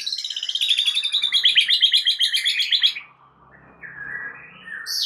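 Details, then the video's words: Song of a white-rumped shama used as a lure for full repertoire singing. A fast, even, high trill of about four notes per second runs for three seconds, then soft lower whistles follow. "Murai Batu anda dijamin langsung BONGKAR ISIAN dengar PANCINGAN Murai Batu satu ini"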